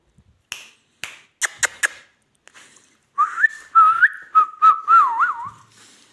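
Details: Baby ringneck parrot: a few sharp clicks or taps, then about three seconds of clear whistling in wavering, sliding notes that end in a quick warbled trill.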